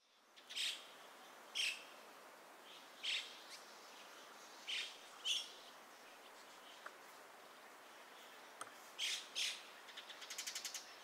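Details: Dusky thrush, subspecies Turdus naumanni eunomus, recorded 27 January 2021 at Gaikotsu-yama, Japan; background sound replaced with separately recorded ambience. Short, sharp high calls given singly or in pairs every one to two seconds, with a faint rattle near the end.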